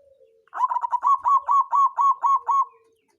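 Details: Songgo ratu zebra dove, a local bird used as a lure to excite rivals and coax lazy birds into singing, gives a quick two-second string of some nine bubbling coos, each bending up then down, steady in pitch, with no other noise.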